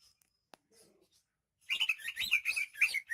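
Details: Greater green leafbird from Banyuwangi, singing energetically: after a second and a half of near silence with a faint click, a dense burst of rapid, warbled, chattering whistles fills the last half of the recording.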